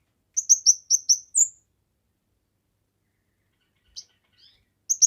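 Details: Kemade bird singing actively, recorded as a master song for training other birds and for luring. A fast run of five sharp high chirps, then a longer slurred whistle, followed by silence with a few faint notes.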